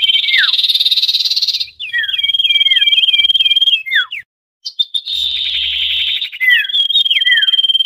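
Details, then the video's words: Common iora calling noisily as a trapping lure: a dense, high, buzzy trill, a run of looping downslurred whistles, a short silence, then the pulsed trill again with falling notes. "SUARA SIRTU/CIPOH RIBUT | AMPUH UNTUK PIKAT"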